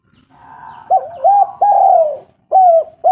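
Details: Spotted dove of a local type, calling to lure other doves into song: rising then falling hoarse coos, one drawn out and sliding downward, followed by two more short coos after a pause.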